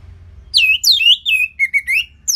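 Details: Orange-headed thrush in northern Bali, used to train other birds; loud, sweet whistled notes that slide down from high to mid pitch, several in quick succession, some with a slight warble.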